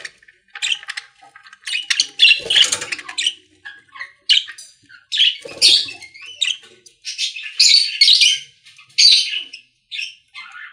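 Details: Budgerigars singing inside a pet store: separate bursts of rasping, chirpy warble, each lasting about a second, with short silences between and a faint low rustle in places.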